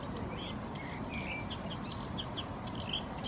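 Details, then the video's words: Bird singing out of sight in Helsinki, Finland: a brief burst of thin whistles and short chirpy notes, closely spaced, partly masked by loud broadband background noise. "Lintu laulaa piilossa"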